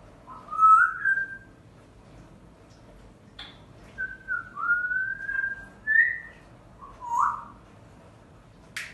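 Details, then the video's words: Timneh grey parrot giving clear whistled phrases, rising and sliding notes repeated several times, with short pauses between them in a quiet indoor room. "Timneh Jako"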